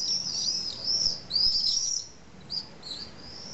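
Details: Common swifts at an unusual low nesting site in a retaining wall in Nice, France. Harsh high screams rise and fall in quick bursts, fading to short thin calls toward the end.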